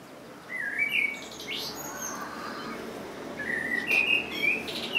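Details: Common blackbird singing: a low fluty warble near the start, then after a short pause a longer run of mellow whistled notes ending in a higher, thinner flourish.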